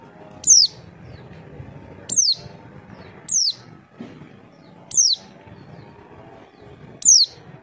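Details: Javan white-eye call played to make other birds answer: five sharp, high notes that drop quickly in pitch, spaced unevenly over about seven seconds, with soft background hum.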